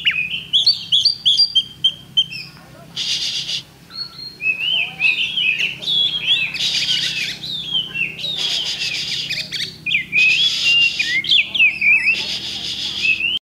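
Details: Contest-caged Oriental magpie-robin, recorded Thursday 8 October 2020, delivering a continuous, fast, mimicking jumble of whistles and trills, broken by several loud harsh broadband bursts, with a faint crowd in the background.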